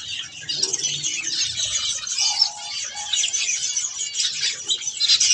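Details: Budgerigars eating softfood keep up a thick, unbroken chorus of shrill twitters and grating warbles, with occasional short level whistled notes lower down.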